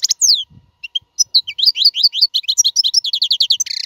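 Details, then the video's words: Goldfinch song for training caged chicks: descending whistled slurs open a dense, fast series of chirping twitters, closing with a harsh buzzy burst. "اقوى تغريد الحسون. لتعليم فراخ القفص"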